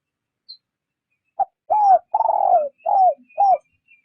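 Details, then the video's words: Spotted dove kept as a trapping lure gives a gentle 'rút bổi' call: a short note then four mellow coos, the second long and trilled, each curving downward, over faint high chirping from other birds. "Tiếng chim gáy mồi rút bổi nhẹ nhàng"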